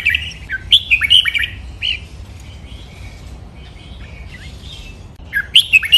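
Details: Captive-training recording of red-whiskered bulbul song, Thai styles including Pa La-u forest song and double 23 counted notes. Rapid warbling phrases open the clip, scattered softer notes follow, and another lively burst closes it.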